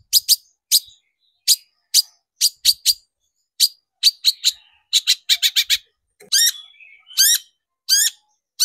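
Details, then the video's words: Lure recording of a long-tailed shrike meant to rouse other shrikes to sing: sharp clipped ticks given singly and in quick clusters, then several longer harsh, grating buzzes. "PANCINGAN CENDET BIAR EMOSI DAN GACOR, SUDAH TERBUKTI AMPUH BANGKITKAN EMOSI BURUNG CENDET"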